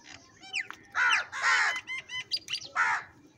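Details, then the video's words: Crows fighting over food, calling live: a run of harsh, raspy caws in short, overlapping bursts, some rising and some falling, with a few sharper squawks between them over about three seconds. "Different kauwa ki awaz - Crow bird live Crowing sounds | Crow bird Fight for Foods"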